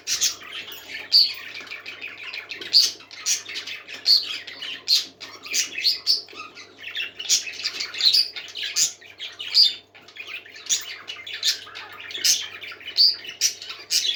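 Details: A lively, unbroken warble from happy parakeets, mixing rapid chirps, scratchy squawks and sharp clicks with bright, high squeaks that recur every couple of seconds.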